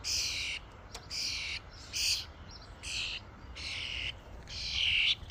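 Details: At a feeding station, a flock of common starlings produces about seven grating, noisy squawks in steady succession, each roughly half a second, with one sharp click early on.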